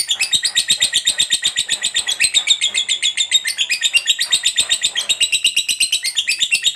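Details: Fighter lovebird delivering a sustained ngekek chatter as a song lure: very fast repeated scratchy notes, roughly four per second-half, with small pitch shifts, loud and unbroken for nearly seven seconds.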